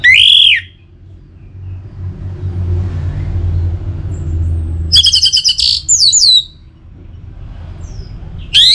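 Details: Song of an Orange-headed thrush (anis merah), meant to get birds singing: a loud arched whistle, a pause with low rumbling background, then a dense run of rapid chattering notes with sweeping slurs, and another whistle at the close.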